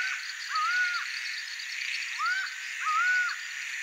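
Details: Three long, level, slightly arched notes from a laughing falcon, the Brazilian acauã of bad-omen folklore, spaced over a few seconds, with a continuous high insect chorus underneath.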